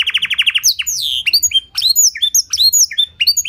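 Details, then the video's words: Canary with blackthroat-style song fill, played as a lure to spark singing. A quick buzzy trill of about ten pulses opens, followed by bright descending and rising whistled slurs in quick succession. "Pancingan & Masteran Burung Kenari Isian Blackthroat Suara Jernih! Bakal Langsung Ikut Gacor"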